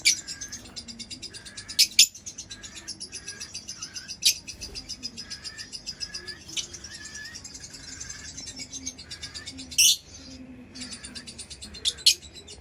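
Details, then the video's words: Long run of lovebird twittering, a steady rapid rattle of high notes with occasional loud shrieks and short lulls, over a faint low hum. "Lovebird Chirping Sounds"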